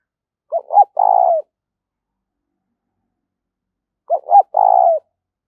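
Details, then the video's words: Lure spotted dove cooing to draw in wild birds, two phrases each made of quick broken notes leading into a sustained throaty coo, about three and a half seconds apart, no other sounds. "Chim Cu Mồi- cu gay kich boi nhanh noi gù"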